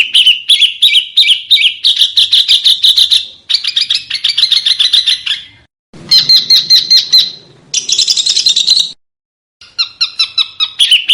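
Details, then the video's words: Small birds' song spliced as a master recording for training contest cage birds: long stretches of fast, buzzy chattering trills at several pitches, separated by brief silences. "Suara BURUNG KECIL !!! MASTERAN BURUNG KECIL TEMBAKAN TAJAM DAN SUPER PEDAS"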